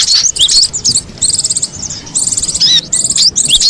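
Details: Free-living cinereous tit with high, rattling trills of rapid repeated notes alternating with short sweeping whistles, in clear bursts about every half second.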